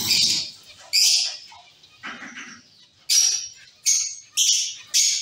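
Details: Zebra finches in a caged colony: a run of loud, nasal, honking beeps, each short and harmonic-rich, six in about five seconds with softer chatter mixed in.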